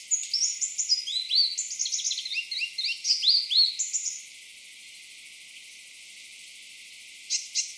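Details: Eastern double-collared sunbird, an East African sky-island population, delivering a fast run of sharp high descending twitters and chirps for about four seconds, then quiet, with a couple of brief notes near the end.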